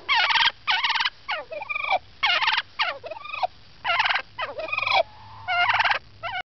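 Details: A talkative turkey in 2006 gives loud rattling gobbles alternating with falling, curved yelps and clucks, delivered in quick irregular bursts with short silences between, over a faint steady hum.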